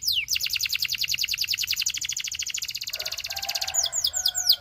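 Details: Gloster canary in song, meant to coax companion canaries into singing: opens with one falling note, runs into a long, even, rapid rattling trill, then closes with a few sharp descending chips.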